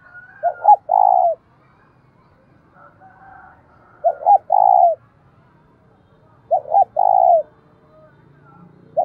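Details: Decoy spotted dove calling to provoke rival doves into fighting: three low cooing phrases, each two short quick notes followed by a longer drawn-out coo, repeating about every three seconds against a quiet background.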